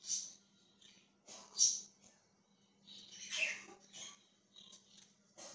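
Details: Budgerigar chirping indoors, recorded 20 January 2023: scattered short scratchy chirps and bursts of warbled chatter with quiet gaps between, over a steady low electrical hum.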